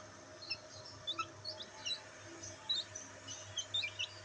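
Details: Black bantam chicks enjoying sunlight give scattered short high peeps, spaced irregularly and fairly soft, over a steady low hum.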